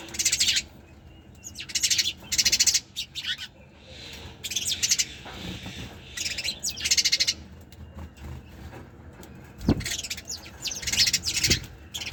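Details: High chirps from sparrows come in repeated short bursts of fast pulsed notes, roughly one burst every second or two, with scattered single chips and a faint background hiss.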